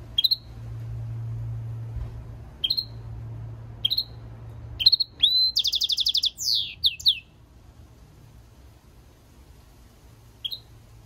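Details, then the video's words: A mule bred from European goldfinch and canary gives spaced single high chip notes about every second or two, with one brief burst of rapid trilling and slurred notes in the middle. "European Goldfinch mule singing - Jilguero Mixto"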